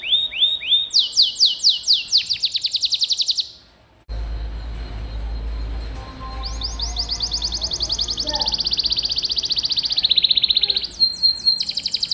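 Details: Canary in full 'gacor' song for masteran training: short rising notes leading into a dense high trill, an abrupt break, then a long buzzy rolling trill over low background rumble, ending with sharp repeated notes.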